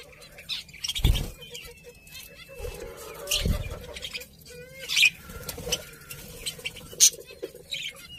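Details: Pet budgerigars chirping: scattered short high chirps and a few thin whistled notes over a low background hum, with occasional soft thumps.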